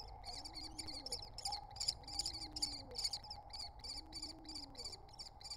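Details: Wild common kestrel nestlings, three chicks at a nest entrance, calling in rapid repeated high chittering notes, about three per second, with a low droning hum and faint lower cooing in the background.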